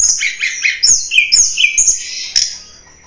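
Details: Blood-breasted flowerpecker (tledekan gunung) lure song for attracting wild birds: a quick series of high, sharp twittering chirps and downslurs that fades out toward the end.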